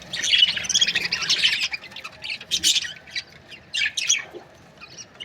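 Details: Budgerigars in breeding pairs chatter in a rapid, scratchy warble for the first three seconds, then give shorter separate squeaks and chirps with quieter pauses between.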